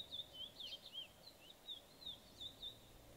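Chestnut-bellied Seed-finch song: a run of clear, fast whistled notes and slurred trills, high and sweet, repeated every fraction of a second over soft background hiss.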